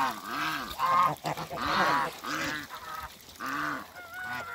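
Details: A mature pair of Toulouse geese reunite after being moved, giving deep, nasal, drawn-out honks about once a second, with a higher thin tone near the end.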